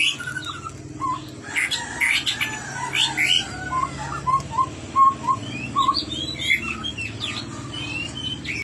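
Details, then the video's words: Chestnut-rumped babbler in lively song: a run of short, clear whistles at an even pitch among scratchy chirps and twittered notes, with quieter stretches between bursts. "burung tepus tunggir merah gacor"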